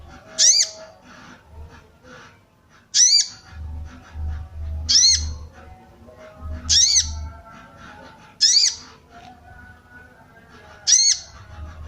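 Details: Sooty-headed bulbul female calling to stir up males and draw wild birds; six harsh, buzzy arched notes spread unevenly, about every two seconds, over faint chatter and a low intermittent hum.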